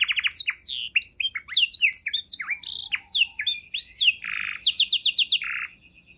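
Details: Tutor song from a canary, offered for training songbirds: continuous cascade of arched whistles and chirps, a low rasping buzz, then a quick high trill and a final buzzy note before fading.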